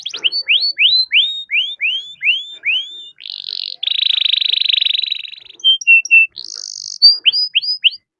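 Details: Canary in full song, used as a lure to make other canaries sing quickly: a repeated series of upward-curving whistled notes, then a long dense buzzing roll, short clipped notes and a final burst of rising whistles.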